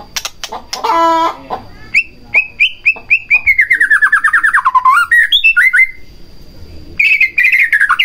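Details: White-rumped shama singing to goad another shama into song: a mechanical rattle, then a fast series of descending whistled notes and a final rich warbled phrase.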